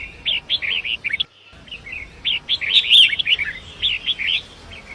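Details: Forest long-tailed shrike singing beside a swift river, recorded as a training track for other songbirds: quick strings of scratchy, warbling notes, a brief pause, then a denser chattering run with a few piercing high notes.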